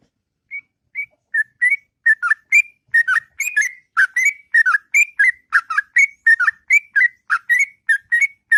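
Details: Sooty-headed bulbul singing at length in the morning, starting with single whistles then building into a steady stream of bubbly, liquid paired notes.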